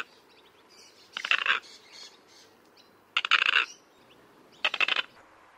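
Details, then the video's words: Common moorhen calling: three harsh, rattling bursts, each about half a second long and spaced about 1.7 seconds apart, with quiet pauses between them. "Камышница. Голоса птиц"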